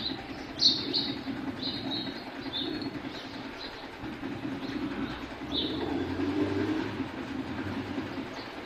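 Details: House sparrows (Passer domesticus) bathing give short, bright chirps in loose, irregular bursts over a steady low rumble of traffic, with occasional wing flutters.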